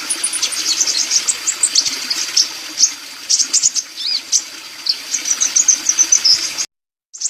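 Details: Sunbird singing energetically, kept as a tutor recording for songbirds: a busy stream of very high chirps, ticks and short twittering slurs with thin whistles. The song breaks off briefly near the end, then resumes.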